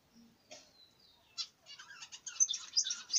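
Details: Budgerigar giving soft high chirps and a thin whistled note that build into a quicker, louder run of scratchy chirps toward the end.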